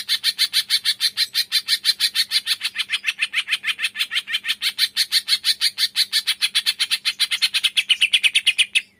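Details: Green leafbird, locally cucak ijo, singing 'tembakan' to trigger lazy birds: a long, relentless string of sharp, grating notes at roughly three per second, pitch sliding slightly lower near the end before a sudden stop.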